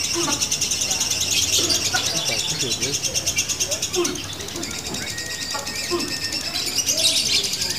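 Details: Female lovebird, a fighter, delivering long 'ngunci' song with short breaks: high, fast, buzzy chatter that swells and fades, over soft music and low chirps.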